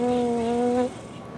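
A Hawaiian Goose gives one drawn-out, nasal, moaning note that sags slightly in pitch and lasts under a second, then stops cleanly.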